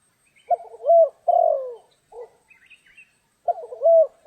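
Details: Low, soft cooing of a spotted dove recorded while trapping in rainy stormy weather: a short broken note and a longer falling coo, a brief note, faint high chirps, then the phrase begins again.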